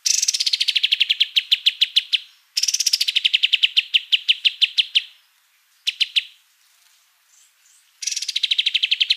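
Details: White-eye (kapas tembak) singing persistently, kept as a tutor bird for other songbirds: rapid trilled phrases of about two seconds, each opening higher then settling into even, buzzy repeated notes, separated by short silences.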